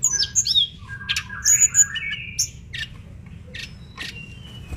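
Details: Vigorous mangrove blue flycatcher song from a tutor recording: quick squeaky notes and bright whistles at the start, then sparser sharp chips and soft whistles over a constant low hiss.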